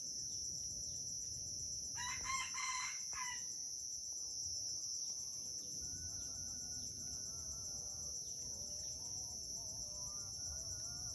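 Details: A wild red junglefowl from Aceh gives a crow during a crowing battle on Bukit Sibreh: a single strong harmonic crow lasting about a second, followed by faint far-off crowing against a continuous high-pitched insect drone.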